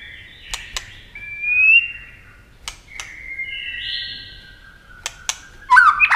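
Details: White-rumped shama in speed competition singing, flicking wings and tail: quieter drawn-out level whistles and a rising whistle, broken by sharp clicks, ending in a loud twisting note.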